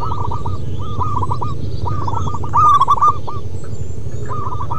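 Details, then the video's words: ['Local wild zebra doves in chorus: repeated runs of short hooked cooing notes overlap from several birds, peaking in a louder phrase near three seconds, with continuous low hum.'] "Perkutut MASTERAN BUNYI Manggung Terlama"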